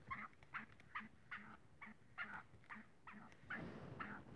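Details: Black francolin (kala teetar) frolicking, giving short clucking notes in a steady series about two per second, each note mid-pitched with a low thump beneath, over faint background hiss.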